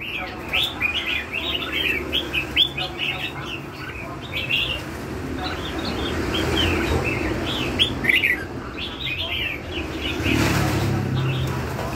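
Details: Red-whiskered bulbul song, described as the "lân hầu bò" style: rapid bright chirped and whistled notes in busy clusters, with a louder low rumble near the end.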